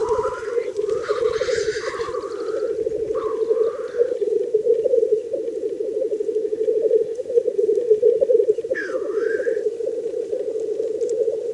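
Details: Black grouse at a lek in the wild during mating, bubbling in a steady, low, dove-like rolling murmur that never stops, with a few higher rising squeaky notes breaking over it.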